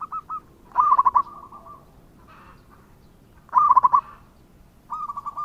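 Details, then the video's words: Local zebra dove repeating loud, rattling bursts of quick coos about every three seconds, each followed by softer trailing notes, with brief quieter coo series between. "Perkutut Lokal Gacor dengan Suara ini"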